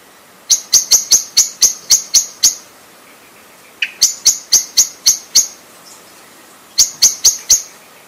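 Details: Common blackbird giving sharp, clicking high notes in quick runs of about eight, roughly four per second, with pauses between the bursts.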